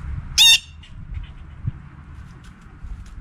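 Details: A blue jay, one of a group feeding together, gives one loud, harsh, nasal squawk lasting about a quarter second, then only a faint low rumble remains.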